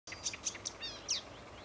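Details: Marsh warbler recorded 8 May 2015 at Homolka ponds, Velké Poříčí: a brief burst of high, scratchy chirps and quick slurred notes, ending with a sweeping twittered phrase, over faint background hiss.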